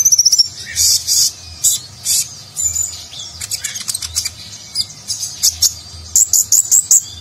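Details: Konin (kolibri ninja) sunbird in 'gacor' song with luxurious 'nagen'-style fill, used to train contest birds; it opens with a fast rattling trill, followed by loud buzzy high bursts and quick chirp series, low hum behind.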